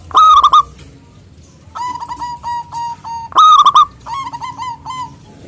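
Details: Loud-voiced local zebra dove singing to challenge rivals: loud bursts of fast staccato coos alternating with longer runs of softer, evenly spaced cooing notes.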